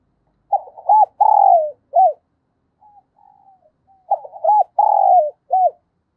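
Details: Spotted dove, 'giọng thổ' voice, cooing to make decoy birds answer quickly: two identical phrases of stuttering notes, a long downward-gliding coo and a short arched final note, faint quiet notes between them.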